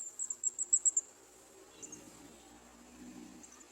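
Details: Olive-backed sunbird (Cinnyris jugularis) young in a garden nest give six thin, very high begging chips in quick succession over about a second while adults try to feed them, then faint quiet background.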